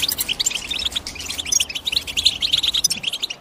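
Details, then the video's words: European goldfinch chattering in high, tinny chirps and short buzzy trills, packed closely together in a restless, uneven stream. "The GOLDFINCH CHIRPING SOUND Nobody Tells You"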